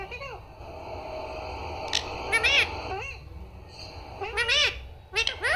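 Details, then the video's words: Talking parrot repeating "Papa" and "Mummy" in short, strained, voice-like syllables, with bent pitch arching up and down, and sporadic bursts separated by pauses against faint indoor background noise. "mitthu talking Mummy Papa"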